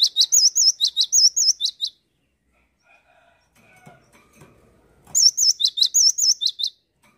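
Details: Cinereous tit in full song, loud high phrases of wavering whistles alternating with sharp chips in quick rhythm, two bursts separated by a quiet pause with faint background noise.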